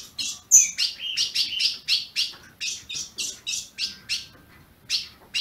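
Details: Azulão, or ultramarine grosbeak, kept by a Brazilian breeder and chirping to warm up another caged bird: crisp high chips, about three to four per second, slightly uneven, over quiet background.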